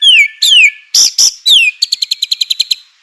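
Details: White-rumped shama singing vigorously, used as a lure to provoke other shamas into singing; three falling slurred whistles, two harsh rasping bursts, then a quick series of about nine sharp high chips.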